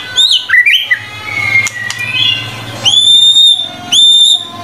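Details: White-rumped shama song from a murai batu tutor compilation: a twisting run of warbled whistles, a drawn-out level whistle, then two loud, pure, sustained high notes about a second apart.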